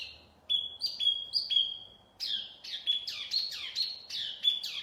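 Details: Lure recording of wambi mini song: level high whistles in a stepped series, then a fast string of descending swept chirps, repeated about twice a second.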